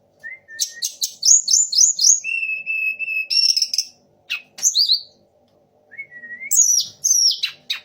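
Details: Sunda laughingthrush mimicking magpie-robin, shama and orange-headed thrush: a short whistle, rapid repeated chirps, a long steady whistled note, then sharp downslurs and renewed chirping after a brief silence.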